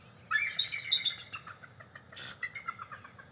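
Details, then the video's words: Morning duet of a bald eagle pair perched just outside their NCTC nest, July 22, 2023, nest-cam recording: a rapid run of high, squeaky piping notes tumbling downward, then a second quicker chattering burst of thin chirps. "Good Morning Vocals - Bella & Smitty Calling Trilling Back & Forth - July 22, 2023 NCTC Bald Eagles"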